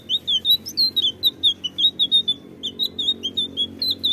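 A blue flycatcher sings a fast, unbroken run of short, high whistled notes, about five a second, rising and falling in pitch. There is faint low hum beneath.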